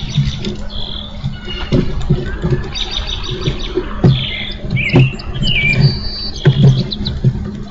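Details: Songbird singing near an eagle nest on 04/08/14, captured by a live nest camera: clear whistled notes, some sliding downward, in short phrases, over a steady low hum and soft knocking thumps.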